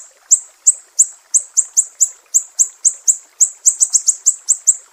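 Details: Mangrove whistler of Sumatra in the piercing 'besetan' style, for training songbirds: a steady string of high, clean chips that bunches into quick doubles and triples near the end.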